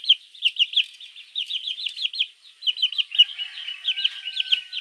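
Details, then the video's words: Baby chicks chirp for their mother in the morning, sound used to attract mongoose; strings of quick, high, curved peeps follow one another, softening briefly near the end over a thin steady tone. "Baby chicks chirping sounds | Suara Anak Ayam memanggil Induk - Suara Anak Ayam Pikat garangan"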